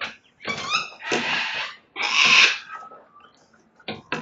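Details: Sulphur-crested cockatoos chewing and damaging a house verandah in Belgrave South, Melbourne, Victoria, Australia, on the morning of 29 May 2022; three loud, harsh, raspy screeches in quick succession, then short sharp knocks near the end.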